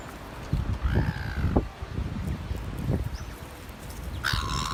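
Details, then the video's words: A seagull at North Shore driving off other gulls at feeding: a flat, nasal call, then a second squall near the end, with low rumbling wind or surf throughout. "Bully seagull at North Shore"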